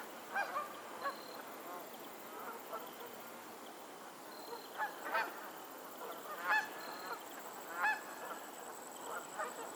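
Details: Geese honking on a lake in Pennsylvania, loud clear nasal calls with rich harmonics, several strong honks spaced about one to two seconds apart among softer flock calls and background hiss.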